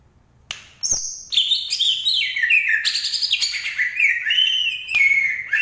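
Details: Banyuwangi green leafbird delivers a continuous, rich warbled song of sliding whistles, jumping up and down in pitch with fast trills between the phrases.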